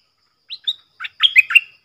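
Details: Stripe-throated bulbul decoy bird song, used to teach young birds to sing along and to lure wild birds: a few short chirps, then a quick run of bright warbled notes with level whistled strokes.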